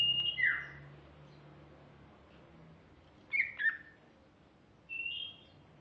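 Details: Female greater green leafbird giving a few sparse phrases: a high whistle dropping into a downslurred note, a pair of quick chirps midway, then a level whistled note, with long quiet gaps and a soft low hum.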